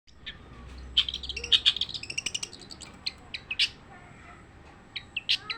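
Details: Long-tailed shrike singing without pause: scattered sharp high chips and short chattered bursts, densest in the first two seconds, then spaced single notes and a few quick phrases near the end.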